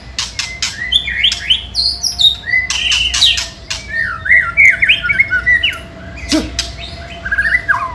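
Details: White-rumped shama song used to provoke rival birds: a rich, varied run of whistled notes sliding up and down, with sharp clicks and harsher notes woven in, loud and continuous, over a faint steady hum.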